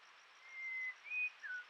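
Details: Common green magpie calling at Rocky Pool, Huai Khayeng Nature Park, Thailand, on a camera trap in the early March 2025 dry season: three clear whistled notes, a level note, a higher one, then a lower one, over a steady high insect drone.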